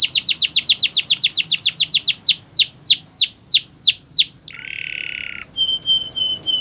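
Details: Song for training canaries: a fast trill slowing into sweeping descending notes, then a harsh buzzy burst and a short run of clipped high notes.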